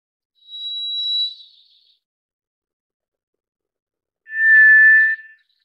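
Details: White's thrush, also called tiger thrush: two long, thin, steady whistles, the first high and fainter, the second lower, louder and slightly buzzy, separated by about two and a half seconds of silence.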